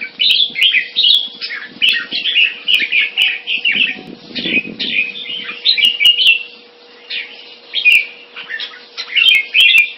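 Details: Red-whiskered bulbul (jambul), a Singapore-kept crossbreed from a champion bloodline, sings dense bubbly warbled phrases that rise and fall in quick succession, with sharp clicks and a low steady hum beneath.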